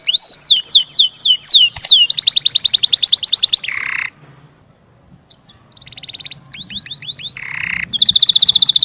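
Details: Canary song of varied tours: swooping descending whistles, a long rapid high trill, a low rolling buzz, a quiet gap, then further slurred notes, another buzzy roll and a fast trill.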